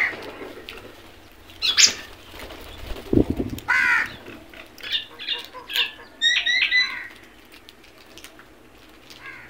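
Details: Crows searching for food give scattered harsh caws and squawks, with a low thump near the middle and a few sharper, higher notes toward the end.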